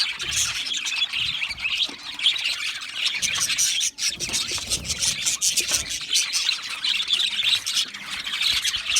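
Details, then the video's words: Budgerigars kept in an aviary chattering together, a steady wash of high warbling chirps and squeaky notes from many overlapping birds. "Budgie parrot chirping sounds"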